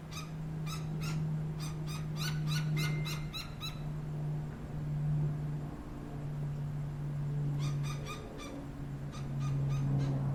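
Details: Gila woodpecker youngster with an adult on a fence in Tucson, Arizona, giving rapid rattling runs of sharp churring notes, a long burst then a pause and another series, over low droning hum.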